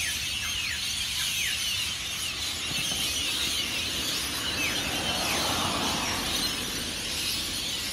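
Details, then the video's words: Roaring chorus of hundreds of rainbow lorikeets just before and after taking off from beachside Norfolk Pines at Burleigh Heads, Queensland, Australia; dense screeching with many sweeping descending squeals. "The noise of Hundreds of Rainbow Lorikeets at Burleigh Heads"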